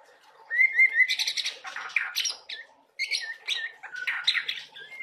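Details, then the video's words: Juvenile oriental magpie-robin in full, busy 'gacor' song. A short whistled warble opens it, followed by dense scratchy trills and chattering phrases, with a brief pause midway. "murai trotol gacor"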